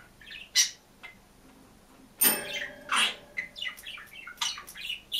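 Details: Budgerigar singing alone in a cage: scattered squeaky chirps, then a burst of harsh rasping noise and a run of fast chattering notes.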